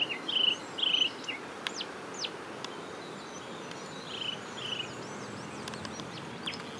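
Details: Eurasian coot family with six chicks, recorded on 2 June 2019 as the young swim around with their parents; short buzzy high calls in two bursts near the start, then scattered thin downslurred notes and another pair of rasping calls.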